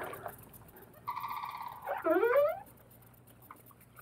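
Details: Sandhill crane (Antigone canadensis), described as cantankerous, near the Silver River in Ocala National Forest, Florida, heard from a canoe: a brief reedy note, then a loud rolling, rattling bugle rising and falling over faint water sounds.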